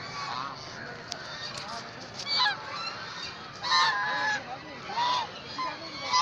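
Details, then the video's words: A flock of about 100 ducks at Karachi Zoo, Gandhi Garden, Pakistan, calling together: loud nasal, harmonic honking bursts rise over a constant chattering chorus, the strongest outbursts arriving roughly every second or so in the second half. "Amazing Duck Chirping Sounds"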